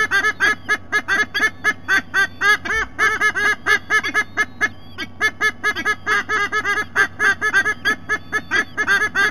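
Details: White-bellied sea eagle recorded on 3 November 2020, giving a long run of loud, nasal, honking notes repeated rapidly, about five per second, with slightly uneven spacing and faint whistles from other birds in the background.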